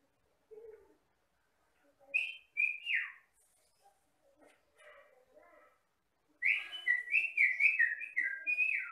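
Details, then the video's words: Jalak Batam myna, a mimic of rice fields and plantations in the Riau Islands, singing: a few scattered whistled notes, then a fast run of bright, falling whistles, several per second. "MASTERAN BURUNG JALAK BATAM GACOR"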